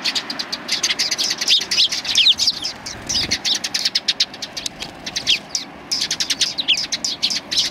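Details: Sparrows gathering to be fed on a shrine approach road in Japan on 24 April 2020; a busy flock gives rapid, overlapping high chirps and short tweets, with faint traffic rumble underneath.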